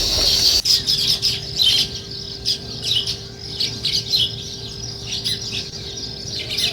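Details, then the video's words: Sparrows chirping in the morning in a village setting: dense, busy high chirps and squeaky notes from several birds overlapping continuously, with a steady faint low hum beneath. "Sparrow Morning Chirping Sounds"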